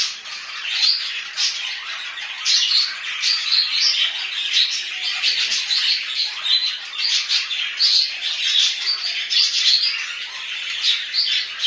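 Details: Home-kept budgerigars warbling and chirping continuously, a lively high twitter with piercing whistled notes and grating squawks recurring in quick, uneven bursts throughout.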